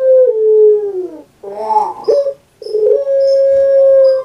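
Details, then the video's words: Puter pelung, a dove kept in Java, Indonesia, gives a falling drawn note, a wavering gurgled phrase, then a long level sustained coo that runs to the end, rich in overtones. "KURANG AJAR BENER SUARANYA BIKIN PUTER PELUNG LAIN SAKIT HATI"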